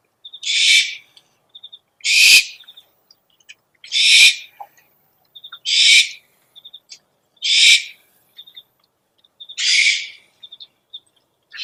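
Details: Owl calls used for luring: seven rough, hissing screeches repeated roughly every one and a half to two seconds, each followed by brief clusters of high, thin chirps.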